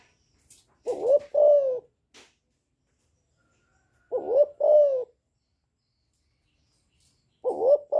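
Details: Young spotted dove calling in the chu lèo style, said to excite wild doves: three two-part coos, each a rising note then a drawn-out falling one, repeated about every three seconds, with faint clicks.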